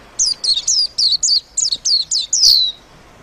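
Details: Short, brisk phrase of a white-eye singing chirpily: nine or so high, descending twitters in quick succession, ending in a longer drawn-out falling note.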